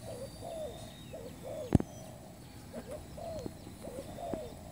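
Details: Lure call of spotted dove for trapping: short hooked coos repeated in a regular string, over a low rumbling background with one sharp knock.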